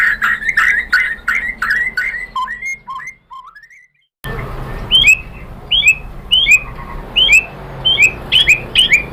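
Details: White-rumped shama singing to bait rival shamas into answering: strong chattering notes, then soft rising whistles and a brief silence, then sharp high whistled notes repeated about once a second.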